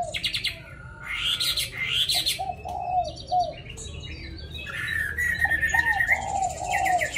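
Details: Caged Hwamei with a pure wild-type voice, said to sing constantly as soon as its cage is hung out; loud, varied song of rising and falling whistled phrases and quick slurred notes, with some short repeated chirps and a faint low background hum.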